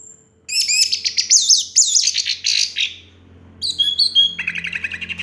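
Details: Orange-headed thrush (anis merah) sings a master song: a rich, varied run of high, fast warbled phrases, a pause, then sharper rapidly repeated notes over a faint low hum.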